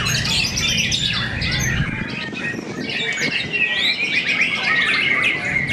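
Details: White-rumped shamas competing as fighter birds in a fierce contest at Cibinong; rapid, varied high whistling and chattering notes, about four per second and irregular, with overlapping singers over faint low noise.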